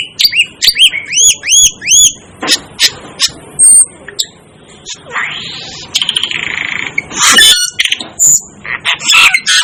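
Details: Asian glossy starling calling: a run of rapid arched whistled notes with harmonics, then sharp clicks, a buzzy rasping passage and loud harsh squawks, with varied high chirps throughout.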